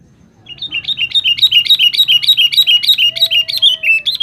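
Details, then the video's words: Sooty-headed bulbul, kutilang, calling to attract females: a rapid, steady run of short bright chirping notes, about three per second, each dropping slightly in pitch, with faint low background rumble. "Suara Burung kutilang gacor memanggil manggil betina"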